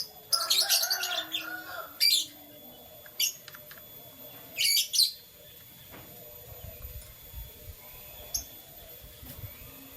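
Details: Canary song in the morning: a burst of high, rapid chirps and trills, then short bright chirps spaced every second or so, with a faint background hum.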